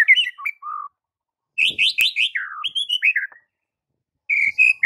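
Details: A white-rumped shama pours out training song meant for silent birds, with clear whistles followed by a fast descending cascade of bright notes, then a break and a resumed whistled phrase.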